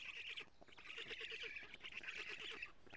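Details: Nest camera in Estonia catches black stork nestlings being fed lampreys by the female on a June 2017 morning; rapid, stuttering, nasal squeaks repeated in quick runs, nearly once a second, with short pauses.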